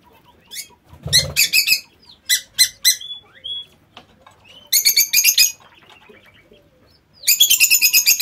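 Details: Lovebirds kept in an aviary give shrill, harsh squawking bursts in clusters, with quiet gaps between, plus a short low thump of movement near the start.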